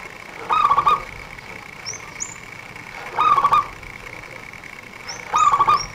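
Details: Fast-singing local zebra dove used by trappers as a lure: three rolling, stuttering coo phrases repeated about every two and a half seconds, with high thin chirps of another bird in the gaps.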